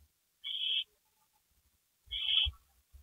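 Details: At 2:05 AM on April 27, 2012, around a gopher prey delivery, an owl gives two drawn-out breathy hisses about a second and a half apart. Low knocking and shuffling noises come with the second hiss.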